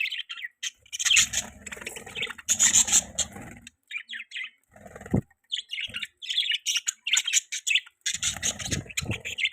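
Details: Budgerigars chirping: busy overlapping warbles and sharp high chirps in bursts, with pauses and occasional low thumps and knocks.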